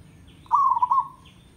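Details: Zebra dove from a village, singing one short, rapid, stuttering coo trill that slides slightly downward and fades, with faint higher bird chirps behind. Used as training audio to encourage birds to sing.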